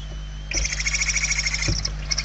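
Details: Barn owl chicks begging from inside a nest in Spain, November 2023. After a half-second pause, one long, harsh, rapidly pulsed rasp carries on to the end over a constant low background hum.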